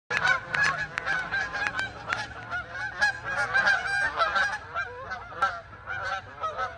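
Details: A flock of Canada geese flying over a neighborhood as winter approaches; many overlapping nasal honks, constant and dense, with a faint low hum beneath.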